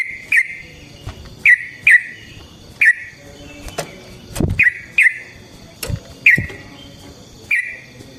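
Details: Sooty-headed bulbul song meant to provoke other bulbuls into singing and to serve as a training model: single sharp whistled notes spaced roughly a second apart, with some soft knocking noises between them.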